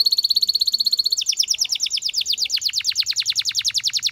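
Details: Canary song: a rapid high trill that shifts after a second into a lower, quick series of descending notes, each tour briskly repeated.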